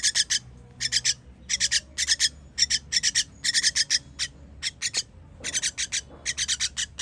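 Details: Baby birds being fed, recorded 21.06.23, give harsh, hissing rasps in quick clusters of two to four, bursts coming roughly every half second with brief pauses, over a faint low background hum.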